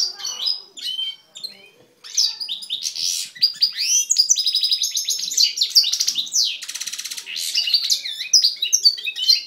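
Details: Male goldfinch x canary hybrid singing a powerful song: a fast, continuous run of twittering notes, sweeping whistles and dense buzzy trills, high-pitched throughout, starting after a brief pause, with no other sounds.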